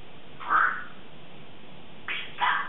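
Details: Pet Congo African grey parrot, female, 3.5 years old, vocalizing in the morning while practicing words: one drawn-out nasal syllable followed after a pause by two short, hoarse word-like sounds.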